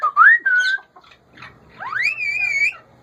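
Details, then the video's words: Pet male ringneck parakeet: a wavering whistle, then a long clear note that sweeps upward and holds level, over a low background hum. "Ringneck male talkking my parrot"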